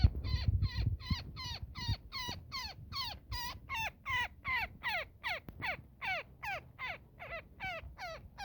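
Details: Woodpecker caught in a net and calling for friends during rescue: some twenty-one loud, raspy, down-slurred squawks over eight seconds, regularly spaced, after rumbling handling noise at the start.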